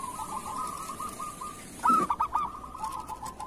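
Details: Local zebra dove (perkutut) kerot song used as tutor material for other doves: a soft rolling trill broken by one loud, stuttered coo phrase partway through.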